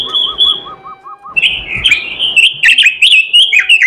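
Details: Oriental magpie-robin singing: a sustained high whistle over regular lower chirps, then continuous rich warbling with quick slurred notes and sharp accents for over two seconds.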